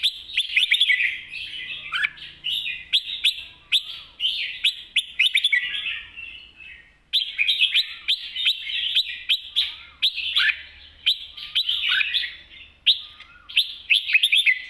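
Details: Extended vigorous 'mae bot' master-song performance by a red-whiskered bulbul: dense, continuous bubbling warbles and clipped chirps in long runs, one clear break midway, with soft lower slurred whistles from another bird behind.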